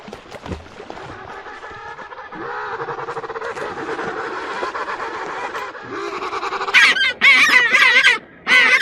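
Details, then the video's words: Penguin calls: a long stretch of raspy, buzzing braying builds up, then ends in loud, harsh, pulsing harmonic brays in two bursts. "Голоса птиц и звуки животных. Звуки природы слушать онлайн ПИНГВИН"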